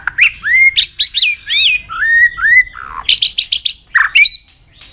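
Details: White-rumped shama singing a varied training song meant to push it to sing fast and intensely: rich fluting whistles, rising slurs and sharp high chirps, ending in a quick series of bright repeated notes.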